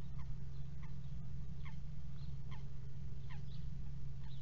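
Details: Pair of common kestrels together at a nest box on 22 March 2018 at 08:52, giving short, thin, falling notes about once a second over a steady low mechanical hum.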